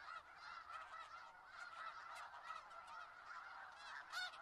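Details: Distant-sounding wall of snow goose honks from a large Skagit Valley flock, steady overlapping nasal calls with one louder burst near the end.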